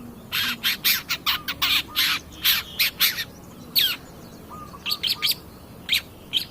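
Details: Long-tailed shrike song for provoking other birds in training: rapid run of harsh, scratchy notes, then scattered sharper chirps, with a low hum behind.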